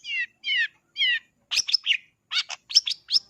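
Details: Long-tailed shrike giving three evenly spaced descending trilled phrases, then switching to quick bursts of harsh, scratchy double notes.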